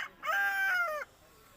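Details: Rooster crowing: a single loud, harmonic cock-a-doodle-doo of about one second, steady and slightly falling at the end, against a quiet background.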